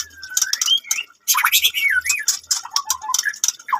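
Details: F1 white-rumped shama of Medan stock, captive-bred at a bird farm in Bungo, giving rising and wavering whistled notes mixed with harsh squawky bursts and clicking chirps, with faint low music in the background.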